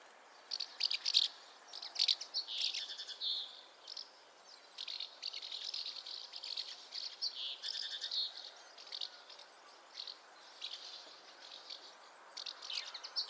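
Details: Long sequence of house martin twittering, with bursts of scratchy chirps separated by brief gaps and a steady faint background hiss.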